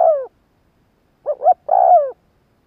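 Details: Spotted dove calling to provoke wild doves into answering: the end of a long falling coo, a pause, then two short rounded notes and a long, steady, descending coo, clean with no other sounds.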